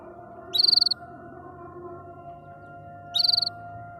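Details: Two quick, bright rattling trills of about eight pulses each come from a canary singing happily, about two and a half seconds apart, over a low steady hum.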